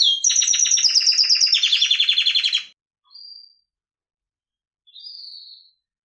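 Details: Canary singing a fast, loud rolling trill of rapid repeated notes for under three seconds, then two short, faint high whistled notes separated by silence.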